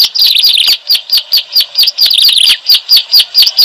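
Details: Bar-winged prinia, ciblek alang alang, played as a trapping lure: dense high chirping with sharp notes repeating about twice a second, and busy overlapping twitters between them.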